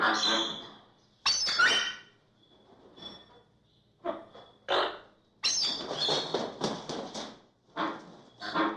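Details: American flamingos (Phoenicopterus ruber) give harsh, nasal, goose-like honks in quick overlapping bursts, with a faint steady high tone between calls.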